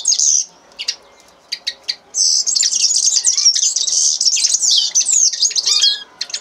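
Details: Singing common linnet: a few sharp separate chirps open, then a long rapid twittering phrase of high trills, buzzes and short whistled slurs running unbroken for about four seconds.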